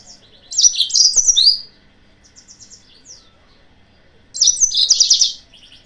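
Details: Yellow-fronted canary lure song to provoke rival birds. Two loud, tumbling bursts of high chirps and fast trills are separated by about three seconds of faint twittering.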